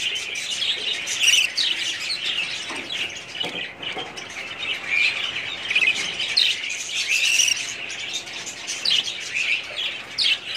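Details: Breeding colony of budgerigar parrots, many birds calling together in continuous squawky, warbling chatter with sharp chirps; a few lower brief sounds mid-recording.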